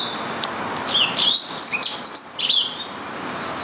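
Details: Rose-ringed parakeet in a local park, Stanley Park, Blackpool, seen there for two to three months, giving high-pitched shrieks: a run of harsh, rising and falling screeches, closely repeated, over faint background hiss.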